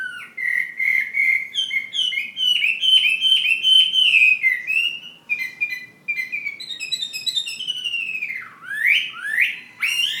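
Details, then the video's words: Fighting hwamei from Ha Giang in sustained song: flowing whistled phrases with quick trills between them, then lilting repeated motifs and a closing burst of steep, rising slurred whistles. "Họa mi chiến Hà Giang"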